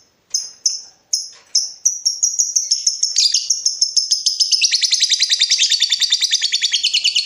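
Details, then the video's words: Lovebird in breeding mood, provoking a rival with its ngekek call. A few spaced, sharp high chirps speed up into a long, fast, rattling chatter of rapid repeated notes that grows harsher and denser. "BURUNG LOVEBIRD MENCARI LAWAN || LB MANAPUN PASTI NYAUT BUNYI"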